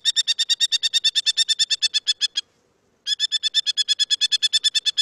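A Merlin gives two fast runs of sharp, high, harsh notes, about five per second, with a brief pause between the runs.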